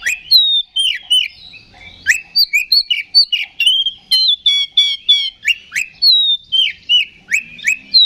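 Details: Kacer, the Oriental magpie-robin, singing in the 'ngeplong' fighting style meant to provoke a response from rival birds: sharp downward-swooping whistles alternate with rattling buzzy bursts in a fast, varied, continuous stream.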